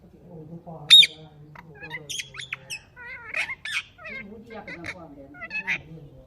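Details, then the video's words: Ringneck parakeets, blue and Kiwi varieties, making natural talking sounds: one harsh screech, then varied chattering and warbled notes, some speech-like, alongside a low voice-like murmur. "Ringneck parrot Natural talking sounds"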